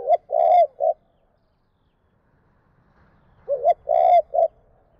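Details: Spotted dove calling in the two-phrase (2 cốt) style used to stir wild birds: two matching three-note coo phrases about three seconds apart, each with a long loud middle note, quiet between them.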